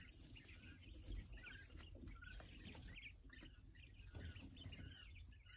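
Quail giving a scatter of short, bright chirps, several birds overlapping at an uneven pace, over a low rumbling background and a steady thin high hiss.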